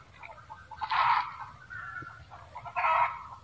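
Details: Red junglefowl cackling: two loud harsh broadband bursts about two seconds apart, separated by softer clucking notes; faint background hiss.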